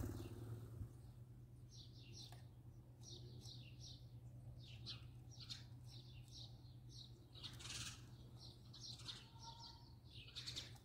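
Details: A house sparrow recorded at close range gives a run of short, bright chirps in quick bursts, repeated steadily, over a constant low mechanical hum.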